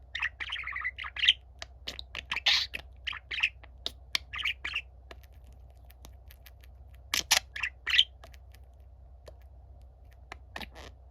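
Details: Pet budgerigars, a younger bird singing while a gentle older companion listens quietly: bursts of chattering, buzzy warbles and sharp clicks in short phrases separated by pauses, over a steady low hum.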